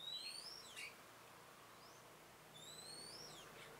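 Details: Red-whiskered bulbul used as a decoy bird during trapping, recorded 27/10/2017: clear, thin whistled notes sweeping upward, then dipping down, given twice about two and a half seconds apart over a quiet background hiss.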